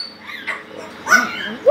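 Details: A pet Illiger's macaw, apparently shouting at the TV, gives two harsh, raspy squawks, the last one rising sharply, with a person's speech in the background.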